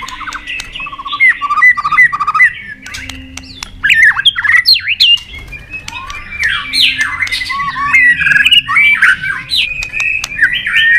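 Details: White-rumped shama, a contest bird, giving long forest-style competition song: a short repeated series of low whistles, then a continuous tumble of loud whistled slurs, sharp chips and trills lasting the whole stretch.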